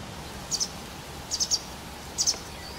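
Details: White wagtail shortly before dusk, 12 April 2017, with three bursts of high, sharp chirps, each two to three notes, spaced about 0.8 seconds apart against a steady faint background hiss.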